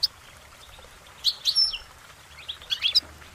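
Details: Short goldfinch phrases: two quick bursts of high, slightly buzzy twittering notes separated by about a second of quiet.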